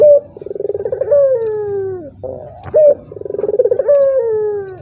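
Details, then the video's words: Turtle dove call meant to coax a silent rival into calling: short high note, then a bubbling pulsed trill, then a long coo sliding steadily downward, given twice over a faint low rumble. "PANCINGAN BURUNG PUTER || COCOK UNTUK LAWAN YANG MALAS BUNYI"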